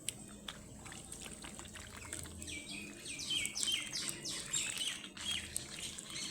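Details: Several baby ducklings peep loudly and shrilly, bursts of high falling chirps crowding together after a quieter start of light taps and clicks.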